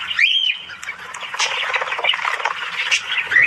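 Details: Budgerigars, or Australian budgies, in the morning: a dense, busy warble of scratchy chirps and short squawks, with a bright rising-and-falling whistled note near the start and another chirp at the end.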